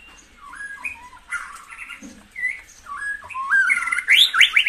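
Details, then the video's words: Varied white-rumped shama song used to excite caged birds: looping whistled slurs, some buzzy notes and a scratchy trill, building to a louder, high rippling finish. "tiếng chích chòe lửa hót dùng kích chim căng lửa hiệu quả"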